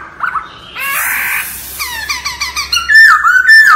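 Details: A captive laughingthrush sings in a voice-training ("wild voice") master recording: a loud, varied phrase of a harsh chattering burst, a run of quick down-slurred notes, then clear ringing whistles.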